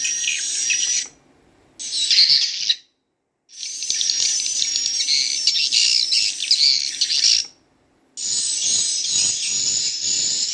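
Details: Playback of swiftlet chick calls, possibly with adult swiftlet sounds: bursts of dense, high chirping separated by brief silences, with the chirps tightly spaced and varying in loudness.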